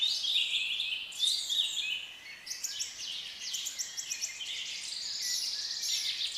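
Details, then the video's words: A group of colourful African lovebirds keeps up continuous high-pitched chattering, with sharp squeaks and twittering notes crowding over one another, briefly quieter midway before swelling again. "Relaxing sound and Different colors of African Love Birds"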